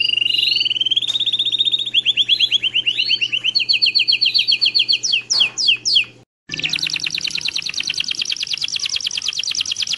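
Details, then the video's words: Belgian canary song to help young birds learn: a rising whistled glide into a fast series of repeated notes, a short pause, then a dense rapid trill over low background hum. "ENCARTE CANÁRIO BELGA PARA FILHOTES"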